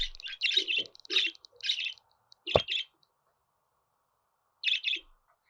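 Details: Budgerigar chatter for pet birds to respond to; rapid scratchy chirps run together in the first two seconds, then a sharp click-like note, a pause and a final pair of chirps.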